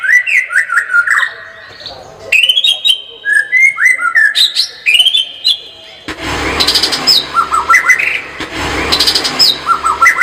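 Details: Varied white-rumped shama song: quick whistled slurs and upsweeps, some rising, some stepping down, in short rhythmic phrases. From midway, a steady broad background hiss joins in.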